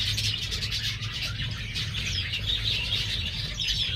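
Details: Pure-bred star finch young freshly out of the nest in a hobby breeder's collection: steady high-pitched twittering from many birds at once, brisk short notes blending together, low steady hum underneath.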